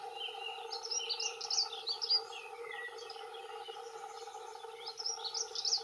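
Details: Territorial song of male dunnocks, two singing: fairly quiet jumbled high warbling phrases at the start and again near the end, softer scattered notes between, over a low steady hum.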